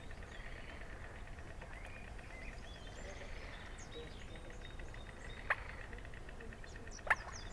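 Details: Eurasian coot in spring at a pond in a nature reserve in Münster; two short, sharp, explosive calls stand out about a second and a half apart near the end, over a steady low background hum with faint distant birdsong.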